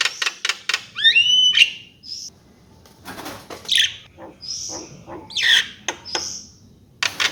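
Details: Javan myna giving a few sharp clicks, then a sweeping rising whistle with harmonics, followed by sparse high squeaks and dry clicking notes separated by quiet gaps.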